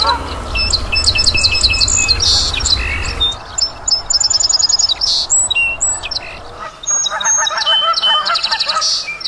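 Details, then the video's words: Wild birds calling in a busy natural chorus: several overlapping high, rapid trilled and chirping series, some notes repeated in fast runs, others whistled; low rumbling noise in the first seconds. "Bird sounds"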